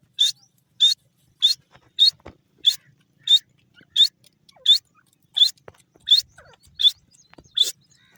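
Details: Grey francolin (desi teetar, called Irani desi teetar) calling: short, sharp, high-pitched ringing notes repeated steadily about every 0.6 seconds, thirteen in a row, each burst brief and harsh, with faint clicks and little else in the background.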